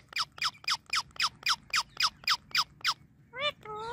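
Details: Friendly pet Indian ringneck parakeet, a nonstop talker. Ten sharp descending squawks repeated about four times a second, followed by two rising voice-like talking syllables.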